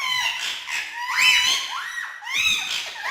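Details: Three male ringneck parakeets having fun on house stairs indoors: a steady run of harsh, arched squawks and screeches, several birds calling over one another.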